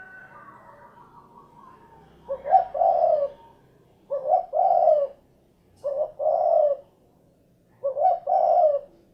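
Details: Spotted dove calling: four low, mellow cooing phrases, each a short note run into a longer rolling coo, given roughly every two seconds after a quiet start with faint higher chatter.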